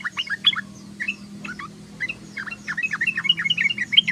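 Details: Sooty-headed bulbul in chattering ngeriwik song: dense bursts of short, sharp chirps and slurred notes, some starting in a rush and others in quick clusters, over a low steady hum.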